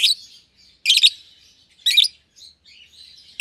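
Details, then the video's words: Young lovebird pair, euwing green opaline and albino, housed together in a single-pair cage; loud clipped chirps roughly once a second over quiet high chatter. "Lovebird Chirping Sounds"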